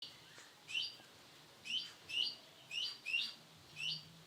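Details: Male canary of the Sunkist colour variety giving short bright chirping notes, falling slightly in pitch, in loose groups of one or two roughly every second, over a faint low hum.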